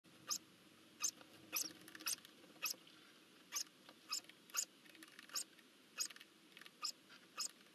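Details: Eurasian hoopoe chicks at a nest in Nagyberény, Hungary, 12 June 2024, watched on a live nest camera while being fed. Short, high, hissy bursts repeat roughly every half second to second over a quiet background.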